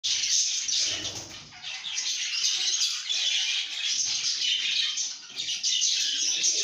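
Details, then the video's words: Lovebirds in a happy, good mood, singing and chirping: a dense, continuous wash of high, shrill chatter and squeaky twitters, with brief louder bursts throughout. "lovebirds singing & chirping sounds"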